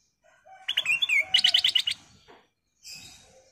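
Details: Black-crested bulbul gives a lure call: bright, liquid whistles, then a quick run of about eight chirpy notes, ending in a brief harsh, scratchy call.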